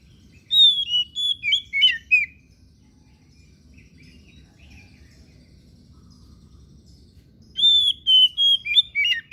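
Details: Oriental magpie-robin (kacer daput) singing two fast phrases of bright, sliding whistled notes separated by about five seconds of near silence. Each phrase has roughly five to seven quick notes that drop in pitch toward the end.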